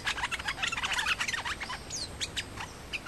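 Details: Two male nok dok taeng (Thai songbirds) in a face-off, said to fight rather than sing at each other, give rapid, busy chirps and sharp tweets in the upper register, about four notes a second in irregular bursts, with a few rising whistled slurs.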